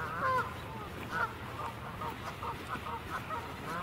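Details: Geese close by on the water, not in flight, give two loud nasal honks, then softer honks roughly once a second over low background rumble; goose.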